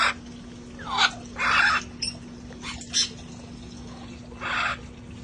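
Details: Parrots from a sanctuary flock relaxing outdoors before the cold set in: several harsh, broad squawks scattered about a second apart, one short descending whistle, over a steady low hum.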